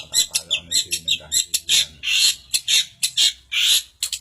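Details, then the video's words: ['Long-tailed shrike in Samarinda singing energetically: a quick run of sharp ticking notes, then longer grating screeches repeated about twice a second.'] "Cendet Gacor"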